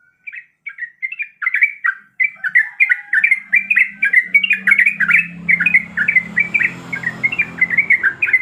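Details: Female yellow-vented bulbul in breeding condition calls to a male: after brief gaps, clear, bright chirps run on in quick, jerky clusters, clean and close, with only a faint low hum late on.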